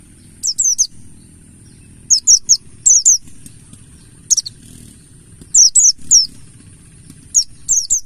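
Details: Buxtoni mountain white-eye in forest-style ngalas voice, used as a singing lure: about seven quick bursts of two or three very high, thin notes falling steeply in pitch, spaced roughly a second apart, over a low hum.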